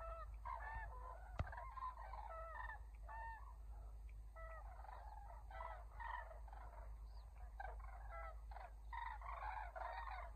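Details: Common cranes in flight at dusk, returning to their roost at Embalse de Los Canchales reservoir. A flock trumpets continuously, with many overlapping ringing, bugling calls in quick succession over a steady low rumble.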